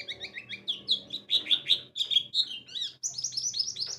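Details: White-eye lure song, meant to make listening birds sing in the bukpar, ngalas and wiksar styles: rapid high chirps and short trills, with notes rising and falling in quick bursts and a faint low hum underneath.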